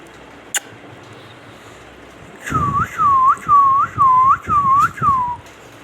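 An Indian ringneck parrot gives six clear, swooping whistles, each dipping then rising, about two per second, after a single sharp click in a quiet room.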